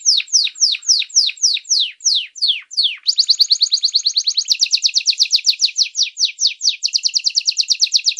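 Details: Canary singing strongly, used for teaching song to other canaries: rapid series of downslurred whistled notes that speed into a dense buzzy trill after three seconds, all high-pitched and clean.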